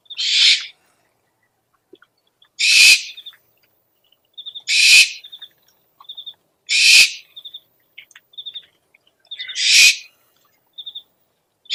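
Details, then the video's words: Owl used to call owls: six harsh, hissing screeches repeated about every two seconds in a steady series, interleaved with quick high-pitched triplet chirps. "SUARA PIKAT BURUNG HANTU - SOUND CALLING OWLS"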